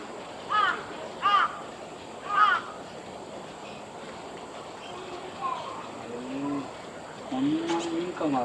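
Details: ['Large-billed crow recorded on Gongen-yama, 26 September 2020, giving three quick arched, nasal calls in the first two and a half seconds, then lower drawn-out voiced sounds and a man talking.']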